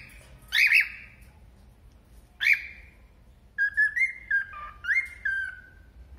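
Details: A cockatiel gives two harsh, scratchy notes, then a run of clear whistled notes stepping up and down, singing and saying "Mônica", somewhat agitated with its companion.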